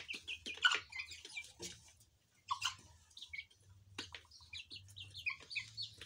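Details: A young criollo chicken raised for meat, whose sex the owner is unsure of (possibly a rooster), peeps and squawks when touched: short, squeaky, slightly harsh, strange-sounding notes in irregular bursts, with handling rustles and faint background noise.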